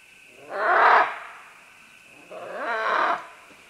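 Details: Green-winged macaws, several together, descending along vines while calling: two grating, nasal squawks about two seconds apart, the first louder and harsher, with a thin constant hum behind them.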